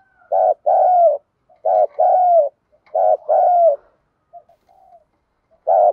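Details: A female spotted dove serving as a decoy calls to attract males, with three quick paired coos, a short note and a longer falling one, then soft murmurs and one more coo.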